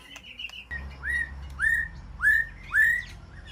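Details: White-rumped shama in a peaceful aviary calling to its flock: four loud rising whistles, evenly spaced about half a second apart, following a short warbled phrase, with a low hum underneath.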